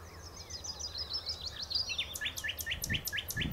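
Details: Texel nightingale at the Horsmeertjes delivering quick repeated twittering notes, then a series of loud sharp downslurred chirps roughly every third of a second, low rumble below.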